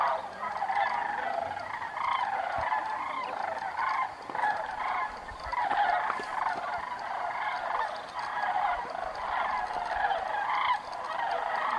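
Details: Sandhill cranes on migration north for the summer, circling in a thermal over Bandelier National Monument: a continuous chorus of overlapping rolling, rattling bugles from many birds, with no pauses.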